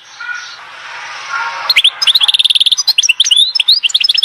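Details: At Oued Zhour, Skikda, a European goldfinch starts after a quiet opening, then pours out a quick, tinkling series of clipped chirps and slurred notes to the end.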